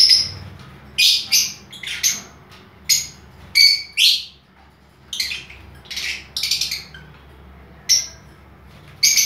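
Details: Lovebirds in an aviary, including albino red-eyed splits and blue, violet and lutino color forms, giving sharp, high shrill chirps in quick bursts, many birds calling at once with short pauses between volleys.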